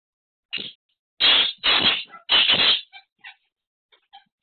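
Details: Black francolin, locally called kala teeter, gives a harsh grating call: a short opening note followed by three loud rasping phrases, then a few faint clicks, with no other sounds around it.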